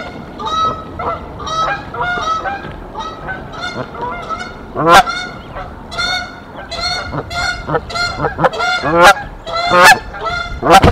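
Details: Canada geese, a mated pair at the Decorah N2B nest in April 2024, defending their nest against an intruding female goose: dense, overlapping harsh honks with rich harmonics, repeated irregularly, about seventy a minute, some louder sharp blasts.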